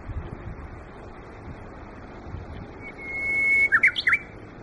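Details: Wild Japanese bush warbler singing at Yokohama Nature Sanctuary in the season when trees come into leaf: a long steady whistled note, then a quick run of short, sharply inflected notes. Faint background hiss throughout.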